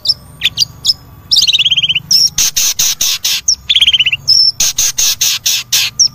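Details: Long-tailed shrike singing, used to stir a quiet caged shrike into song: a varied run of harsh buzzy bursts, rapid descending rattling trills and thin high whistles, loud and scratchy throughout.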